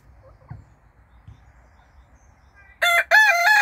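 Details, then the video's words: Rooster of unknown breed crowing: after a near-silent start with faint low thumps, a loud, harsh, harmonic-rich crow bursts out, broken by a short gap, and continues to the end. "rooster crowing"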